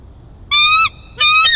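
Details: Bald eagle juvenile taking lunch at Big Bear Valley, 5 December 2022: two strong, slightly rising whistled squeals, the second ending in a harsher burst, in near silence.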